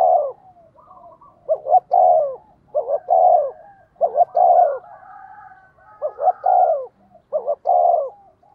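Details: Spotted dove used as a decoy to lure wild birds, cooing fast and insistently: low hollow coos in quick bursts of two or three notes, repeated about every second, with a faint second dove in the background.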